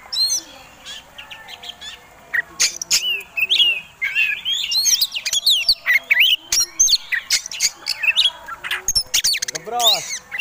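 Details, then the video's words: Fighting-type Oriental magpie-robin, a contest songbird, giving a lure song meant to provoke rivals: busy chatter of varied whistles, rising slurs and hard clicks, irregular and dense, with some faint lower sounds in the background. "Kacer Tarung Ngobra Ngotot Gayanya Eksotik Bikin Ngiler || Pancingan Mewah!!!"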